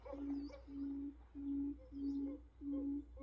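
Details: Buttonquail decoy recording used for trapping birds: low, steady hoots about half a second long, repeated at a fairly even rhythm with short gaps, and faint higher chirps in the background.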